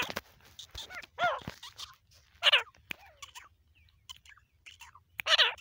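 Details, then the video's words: Grey francolin, male and female calling: scattered harsh, ringing notes with a downward-curving shape, louder bursts near the start, middle and end, over a faint low hum. "teeter sound"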